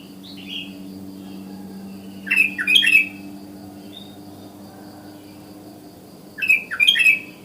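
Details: In the morning a wild sooty-headed bulbul calls to other bulbuls. Two lively bursts of rapid slurred whistles arrive about four seconds apart above a faint constant drone.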